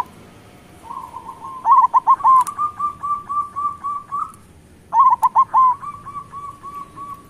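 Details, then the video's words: Local zebra doves used to coax silent doves into song: soft beaded trills swell into a long series of evenly spaced ringing notes, then a second louder burst starts the pattern again. "Perkutut lokal gacor Suara Besar"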